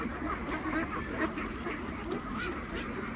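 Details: Khaki Campbell ducks, about 3000 of them on a duck farm, quack busily while being fed, making a brief burst of dense, jostling calls with short nasal notes overlapping throughout.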